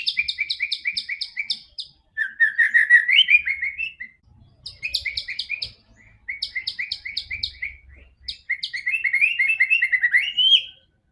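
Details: White-rumped shama song to make a quiet bird sing: strings of crisp, evenly repeated chirps, about four per second, alternating with rising warbled whistle runs, in several bouts.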